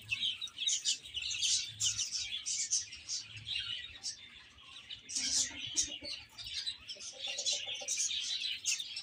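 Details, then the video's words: A crowd of young chicks eating and playing, giving continuous high, piercing cheeps in overlapping bursts; the chorus dips briefly midway, then swells again with a short low clucking run. "Cute Chicks Chirping Sounds"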